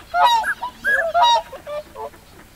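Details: Lake recording of whooper swans, pintail ducks nearby, swans busy and calling loudly: close, strong trumpeting honks with bright harmonics, several calls overlapping in quick succession, then softer answering notes fading out.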